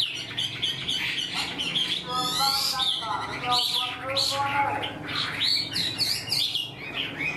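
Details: Caged wild-caught Chinese hwamei, said to sing like a tame bird, mixes fast whistled notes with harsh, buzzy chatter and rolling phrases, loud throughout.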